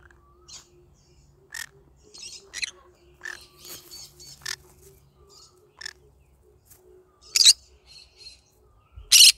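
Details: A pet yellow-sided green-cheeked conure singing in the morning gives scattered short, harsh chirps and squawks at irregular intervals, with a few louder screechy bursts near the end. A low indoor hum runs underneath.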